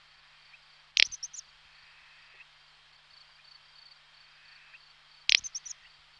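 Little bustard giving two short, dry, snorting 'prrt' calls about four seconds apart, each with a brief rattle after it, over a steady high insect hiss.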